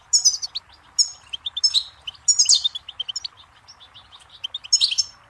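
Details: Twittering Goldfinch song: fast sequences of bright chirps alternating with rasping, buzzy high phrases, delivered in busy bursts with short pauses between.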